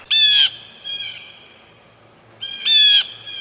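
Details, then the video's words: Blue Jay at a backyard bird feeder on a New Jersey woodland farm: two loud, harsh jeers about two seconds apart, each a raspy, nasal squawk with a slight downward slur, with softer chatter between. "Blue Jays have bright, vivid colors and very loud voices."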